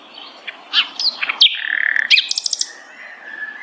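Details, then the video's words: Sikatan londo flycatcher giving scattered high chirps, a drawn-out level whistle, and a quick burst of stacked ringing notes, then a soft trailing whistle. "beragam jenia dan kicauan sikatan londo"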